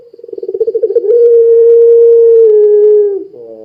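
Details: Barbary dove of the puter pelung type, sung to make other doves call: a low throbbing run of quick pulses swells into one long, steady, hollow coo that sags slightly before a short buzzy, nasal ending note.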